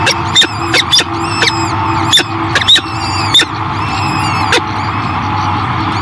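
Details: Peregrine falcon hatchlings being fed by their first-time mother Savanna at the Great Spirit Bluff nest in 2023 give thin, very high squeaky peeps in irregular bursts, mixed with sharp clicks over a steady mechanical hum.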